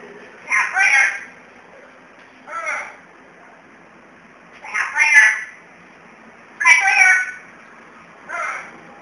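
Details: Angry pet black-capped lory protesting at not being picked up by its owner, giving five loud, grating squawks spaced roughly two seconds apart, each short and rasping, with a faint steady hum between them.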